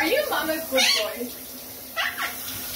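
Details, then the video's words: Pet Monk Parakeet (Quaker) taking a shower, mimicking human speech in three short, raspy, word-like bursts over about three seconds, against running water and a steady low hum. "Quaker parrot talking in shower"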